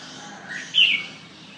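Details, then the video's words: Red-whiskered bulbul offered for sale, giving one short bright chirped phrase that rises and then falls in a quick burst near the middle, over faint low background hiss. "chào mào hay"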